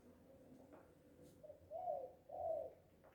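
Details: Spotted dove, known as Tekukur or Anduhur Bolon, singing loudly while happy: a short soft note followed by two longer, louder mellow coos in quick succession.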